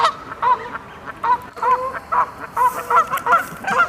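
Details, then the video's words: Canada geese honking loudly as they fly off, clear two-part honks with rising-falling pitch, spaced roughly every half second, several birds answering one another. "Canada Geese HONKING FLY Off"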